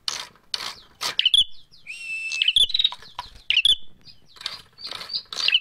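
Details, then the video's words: Bar-winged prinia fighting call used as a lure: dry, rapid snapping and ratcheting bursts mixed with brief high whistled notes, harsh and agitated, repeated in quick uneven volleys. "SUARA PIKAT PRENJAK MERAH TARUNG"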